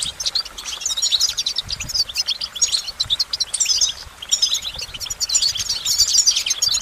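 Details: Goldfinch delivering rapid high twittering phrases full of jingling chirps and short trills, pausing briefly around four seconds before resuming.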